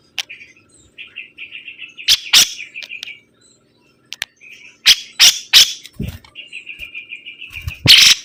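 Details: Sibuntung bird singing steadily: soft, evenly spaced trilled notes held at one pitch, broken by sharp loud clicks and knocks, with a low bump and a harsh burst near the end.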